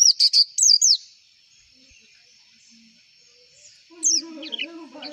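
A white-eye gives quick, high, twittering phrases of sliding chirps, a burst at the start and another near the end, with a low wavering tone underneath.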